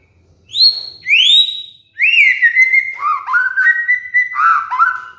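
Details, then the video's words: Whistled lure song of a white-rumped shama for training caged birds in molt: two rising swept whistles, then a long phrase of level and dipping whistles at lower pitch, clear and loud. "PANCINGAN MURAI BATU | MASTERAN BURUNG MABUNG"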